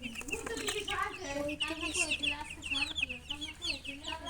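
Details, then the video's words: Hen and chickens giving bright rising chirps mixed with lower, drawn-out clucking tones, fairly continuous throughout. "silly chicken chirping sounds with murgi hen color chicken"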